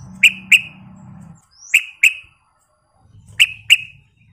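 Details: Yellow-vented bulbul; song; lure that provokes other bulbuls into answering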